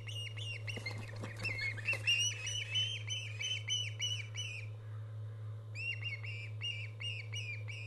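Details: Osprey calling at a live-streamed nest camera on 24 August 2014: a rapid run of sharp, high whistled chirps with bright overtones, a brief pause, then the chirping series resumes, over a steady low electrical hum.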